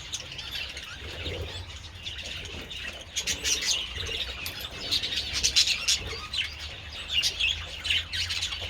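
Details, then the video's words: Budgerigars enjoying treats outdoors in the sun, 27 February, keep up quick squeaky chirps and scratchy warbles that grow louder and busier in the second half. "Adorable budgies enjoying treats in the sun"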